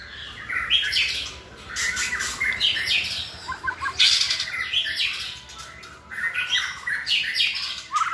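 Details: Several white-rumped shamas with fine voices sing to train another shama; dense harsh bursts mixed with chirps and whistles, nearly continuous, with a rising note at the end.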